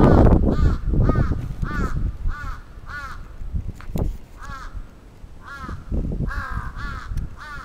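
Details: Japan, Sapporo, Atsubetsu Ward, 27 June 2017: an attacking crow gives many harsh, slightly falling caws in irregular runs with a brief lull, over bumping low-frequency noise.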